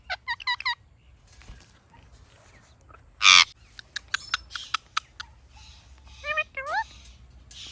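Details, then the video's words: Natural chirping from a Ringneck parrot: a fast string of bright repeated chirps, a sudden harsh noisy burst, scattered clicks, then rising and falling wavy squeaks near the end. "Ringneck Parrot Natural Chirping Sounds"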